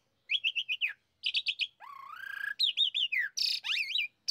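Asian pied starling singing a varied, jumbled song: quick runs of whistled chirps, a long rising rasp, then looping slurred whistles and harsh buzzy notes.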